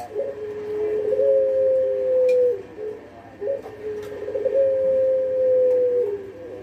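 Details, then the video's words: Pelung dove repeating its long call twice: a short stuttered lead-in followed by a long, level, slightly falling tone lasting over a second, phrases about three seconds apart, over a low room hum. "Kumpulan _Suara Puter Pelung Bikin Burung Puter Lain Ikut Manggung Gacor"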